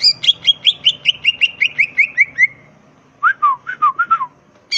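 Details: A green leafbird in lively 'gacor ngentrok' song, crest raised, gives a steady string of about fifteen quick chirping notes, a brief pause, then several rapid, looping whistled notes.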